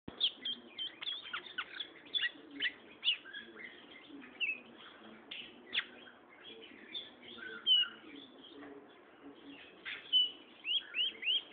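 A Gray Seedeater sings a long, rapid run of high twittering notes, slurred whistles and short trills, almost without pause, over a faint low murmur.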